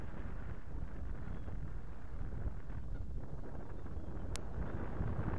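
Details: Heavy, steady low wind rumble buffets the microphone, with a single sharp click near the end and no animal voices.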